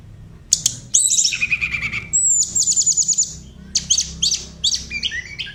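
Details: Tledekan song for vocal tutoring: sharp high notes, a falling buzzy trill, a clear whistle leading into repeated chips, and scattered jumbled high phrases.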